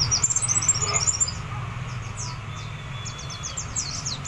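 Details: White-eye singing in the wild, imitating the songs of other birds: rapid high chirps and thin slurred notes in quick bursts, one fast twittering run at the start and scattered short sweeps later, over a steady low rumble.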